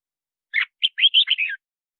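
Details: Red-whiskered bulbul singing a rapid phrase of about six bright, warbling whistled notes, rising then slipping downward at the end; song played to call in wild birds and for voice training. No other sounds.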